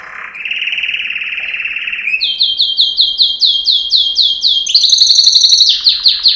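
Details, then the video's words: Yellow canary, Serinus canaria, male training song: a steady rolling trill, then rapid swooping notes repeated about four per second, rising into a higher fast series and a descending flourish. "Yellow Canary singing video - Serinus canaria - Canary Training Song"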